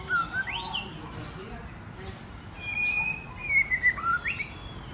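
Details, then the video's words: Female White-rumped shama singing to stir males into song and combat. A low whistle and a rising sweep come first. After a pause, a steady whistled note descends through slurred notes into short rapid chips. "CHOÈ LỬA MÁI KÍCH TRỐNG TẠCH + HÓT muraI betina fighter, murai jatan auto ngamuk"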